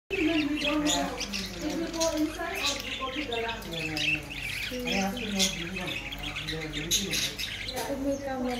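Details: African grey parrot talking, a string of speech-like voiced phrases with stacked harmonic tones, some clipped squawky syllables and sharper high notes, with a person's voice also heard nearby.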